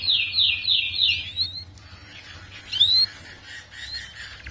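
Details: Canary song for tutoring young canaries: a brief fast high trill lasting over a second, followed by quieter scattered chirps and one sharp rising whistled note.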